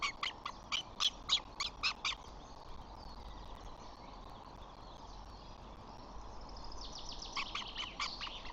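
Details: Flamingo chicks on 14 June while the father flies in to feed and two dominant chicks push siblings off. A rapid run of about nine sharp, rasping pulses is followed by quieter murmuring, then a second, fainter pulse series near the end.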